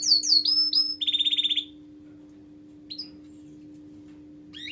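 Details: Canary singing: quick high downslurred whistles open into a fast, even trill of about ten buzzy notes, then a pause broken by two brief chirps, over a steady low electrical hum.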